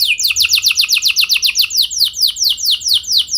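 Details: Training song meant to spur canaries into singing, a canary pouring out a fast series of steeply descending whistled notes, about four per second, sliding slightly lower toward the end.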